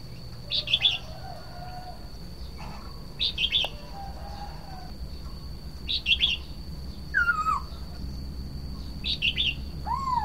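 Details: Red-whiskered bulbul repeating a brief three-note chirpy phrase about every three seconds, while another bird gives falling and rising clear whistles; low rumble and a thin steady high tone in the background.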